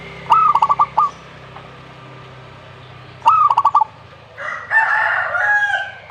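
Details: Zebra dove gives two rapid, rolling cooing phrases of stuttering pulsed notes. A separate, harsher, noisier call follows toward the end, with a low steady hum underneath.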